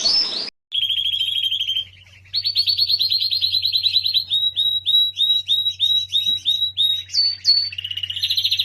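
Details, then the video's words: English Lancashire canary, a keen singer used to tutor young canaries, after a brief cut-off note gives a steady high buzzing trill, then rhythmic pulsed rolls and short rising whistles repeated about three times a second, over a faint low hum. "Burung Kenari Lancashire Gacor | Masteran Kenari Lancashire"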